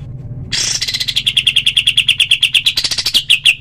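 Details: Cotton pygmy goose in a clear training recording for other birds: after a quiet half-second, a fast series of sharp, high repeated notes runs steadily, about five per second, and rises slightly near the end.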